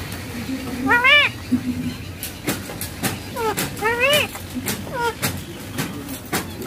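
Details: Rose-ringed parakeet talking while something plays on a mobile phone: arched, harmonic, speech-like squawks in short bursts, rising then falling, amid clicks and a steady mechanical hum.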